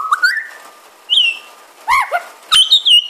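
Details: Pied butcherbird sitting on a porch in the rain, copying magpies, koels, babblers and dogs; a bright whistle rising to a high held tone, followed by bent descending whistles and a final high sustained whistled note, with a couple of clicks.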